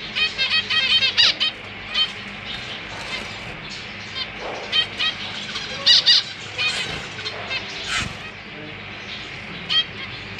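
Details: Zebra finch parents busy feeding newly hatched and fledged babies in a cage; dense run of rapid nasal calls early, then scattered honks and squeaky notes throughout.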